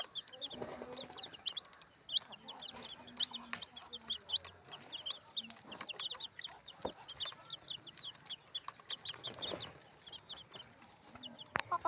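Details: Colorful chicken chicks chirping: many high, thin peeps repeated rapidly and overlapping throughout, from several chicks, with soft low clucks and faint rustling beneath.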